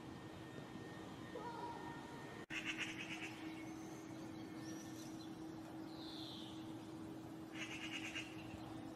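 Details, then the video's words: Spring courtyard with a nesting pair of Eurasian magpies: two brief harsh rattling chatter bursts, one near the start after a sudden cut and another near the end, with faint thin tones and low hum between. "Pies bavardes et cris d'alerte"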